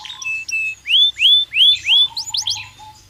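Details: Belgian canary singing naturally for stimulation: four slow, clear rising whistled notes, then quick sharp chirps, over a faint low background hum.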